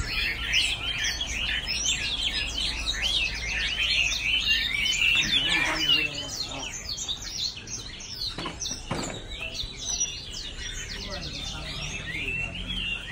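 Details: Chinese hwamei pouring out a fast, varied song of whistled and chattering notes, loudest in the first half, with a couple of sharp clicks and softer phrases later.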